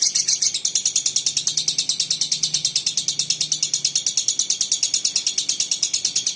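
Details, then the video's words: Lovebird giving a long, unbroken run of high, sharp chirps repeated about three times a second in a regular pulsing rhythm, with a faint low hum behind. "Burung love bird durasi 2 menit tanpa putus!!"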